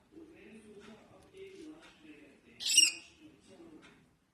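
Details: A young cockatiel lets out one loud, grating screech near the end, after a stretch of quiet low chatter and muffled background sounds.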